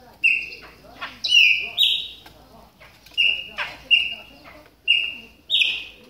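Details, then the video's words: During its moult, a Chopi blackbird warms up with loud, bright whistled calls, each a short flat note, some paired or slurred upward into a brighter tone, given in quick bursts with brief pauses. "CHAMADOS DE PÁSSARO PRETOS AQUECENDO NA MUDA !"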